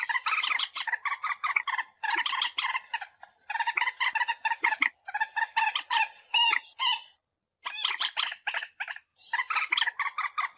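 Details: Common moorhen calls, a recording used as a lure in bird hunting: loud, harsh, stacked clucking notes in rapid bursts, with grouped runs separated by short pauses over about ten seconds.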